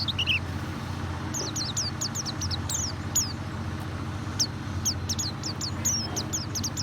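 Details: High white-eye chirps, used to coax a bird that seldom sings: scattered thin, downslurred notes in short runs, with a constant low rumble underneath.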